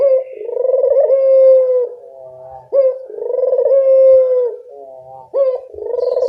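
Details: Barbary dove, a keen caller, used as a tutor sound for quiet birds: three long, low, sustained coos, each opening with a sharp upward note and separated by softer fluttering murmurs.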